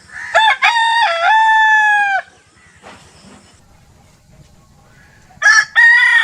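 A rooster gives a loud, ringing crow lasting about two seconds, with a short stutter at the start and a slight drop before it ends. A second crow begins near the close.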